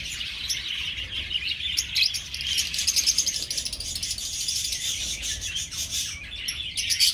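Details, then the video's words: Aviary colony of budgerigars gives a thick wash of high, scratchy chirps and twitters, rising in short louder bursts. "Australlion Budgies"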